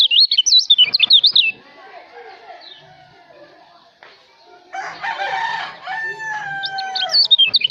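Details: Kecial, a white-eye from Lombok, kept as a training song for cage birds: loud, rapid, high warbled whistles open the recording and return at the end. A harsh, rooster-like call and broadband noise fill the quieter middle.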